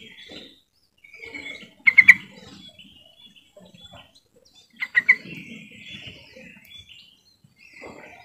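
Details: Yellow-vented bulbul call for prompting other birds to sing: two short bubbly bursts of three or four notes about three seconds apart, with soft warbles and faint rustling around them.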